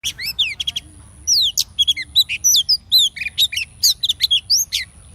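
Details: Female oriental magpie-robin calling to excite male pet birds: bursts of sharp, downslurred and hooked whistles in quick clusters, separated by short pauses, with a faint steady high whine throughout.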